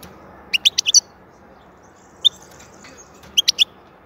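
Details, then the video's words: European goldfinch song, described as soothing and excellent: a quick burst of five bright, high twittering notes, a lone chirp, then a second short twittering burst of three notes, over faint background hiss. "Huzur verici saka sesi mūkemel"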